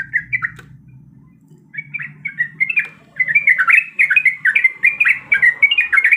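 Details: Breeding female yellow-vented bulbul calling a male: a few bubbly notes, a second-long pause, then a louder, quickening burst of liquid chattering notes. Faint low hum behind.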